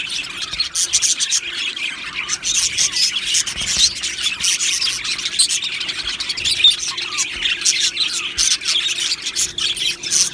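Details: Many Australian budgies in an aviary colony, described as happy, filling the air with continuous high-pitched twittering, squeaky chirps and fast warbled chatter.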